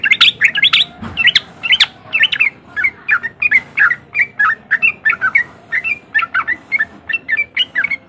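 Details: Riwik song of a sooty-headed bulbul, played to make other untrained bulbuls start singing: a long, steady string of bright, bouncing chirps, roughly three per second, continuing for eight seconds over faint background hum.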